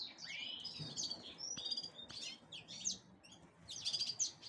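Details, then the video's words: Black-headed canary preparing to breed, singing scattered high chirps, whistled slurs and short trills with uneven gaps, a faint click or two in the background. "Serinus Alario Alario. Preparándose para la cría ."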